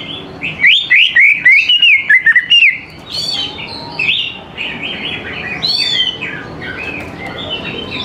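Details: Lure song of a greater green leafbird, sung to prompt young birds to join in; a run of about eight loud, sharply repeated whistled notes gives way to fast, varied chattering and warbled phrases.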